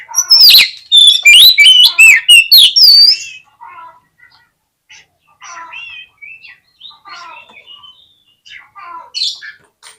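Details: Oriental magpie-robin song meant to trigger a fighting, tail-spreading response: opens with a loud, rapid, harsh series of sharp whistled notes, then softer, scattered warbles and chirps with gaps between them.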